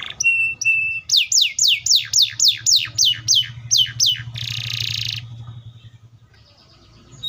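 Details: Canary singing steady flat whistles, then about ten loud falling sweeps repeated evenly, followed by a dense buzzy trill; a low hum runs through it and the song fades before a last note.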